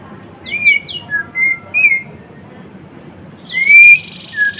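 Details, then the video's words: White-rumped shama (murai batu) giving sparse song phrases: three quick high notes, short level whistles with pauses, then a loud rising whistle and a brief buzzy note. "Kicauan MURAI BATU GACOR (Murai Blorok gacor)"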